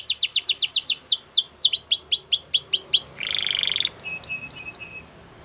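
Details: White Belgian canary song with quick repeated downward-sweeping whistles, a short harsh buzzing roll, then a few sharp separated high chirps before fading.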